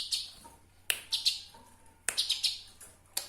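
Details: Eurasian tree sparrow, recorded for training songbirds: loud sharp chirps clustered in quick groups of three or four, repeated roughly every second, over a low hum.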